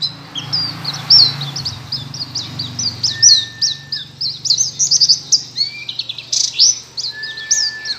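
A white-eye sings a fast, high twittering warble of thin chirps and trills, broken by a few longer pure whistled notes; a low steady hum runs underneath.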